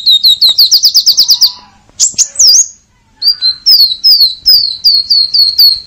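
Purple-throated sunbird giving a fast series of high, sharp chips, about ten per second, then a pause and a slower run of thin, falling whistled notes.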